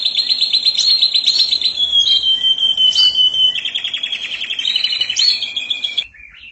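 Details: Canary delivering 'mabok teler' song: a fast rattling trill gives way to a smooth, gently falling whistle, then another rolling trill with scattered high chips before it stops abruptly.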